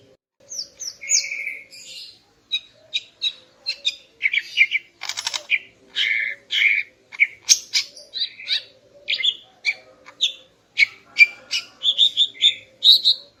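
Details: Female greater green leafbird singing in the morning to arouse the male: a long lively run of varied chirps, whistles and buzzy notes repeated in quick bursts, with short harsh rattles mixed in, low hum beneath.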